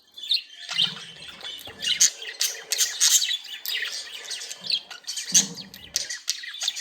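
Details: Budgerigars, happy and playing, fill the air with dense warbling chatter: rapid high chirps, squeaky whistles and scratchy notes overlapping continuously, with short low rumbles underneath.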